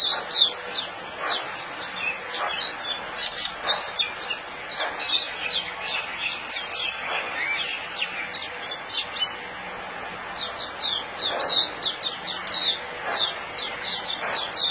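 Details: A caged white-eye held in the hand in Singapore, dewormed, recorded 26 January 2018, sings a long, rapid stream of thin, high chirping and twittering notes with hardly a break, over a faint background hiss.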